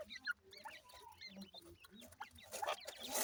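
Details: High, short twittering peeps from ring-necked pheasant chicks, fairly quiet and irregular, ending in a burst of rustling, hissing noise.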